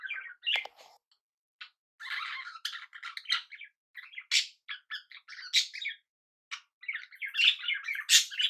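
A budgerigar chatters in quick scratchy bursts, squeaky chirps and warbles run together with brief pauses.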